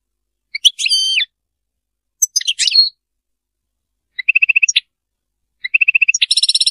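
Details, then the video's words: European goldfinch performing Serfati-style song in scattered phrases: twangy twittered notes, then short rapid ticking trills, and finally a dense buzzy rattle. Quiet between phrases. "تغريد رائع للحسون ملك الطيور المغردة تغريد السرفاتي"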